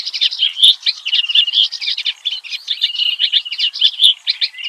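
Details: Wild clamorous reed warbler (kerak basi) producing a varied song of quick, rasping chatter interspersed with brief bright whistled notes, in a steady unbroken stream.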